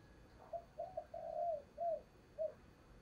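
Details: Decoy spotted dove cooing in the 'thúc gù' style to lure wild doves for trapping, heard faintly: a soft phrase of short notes and drawn-out low coos over a steady background hiss.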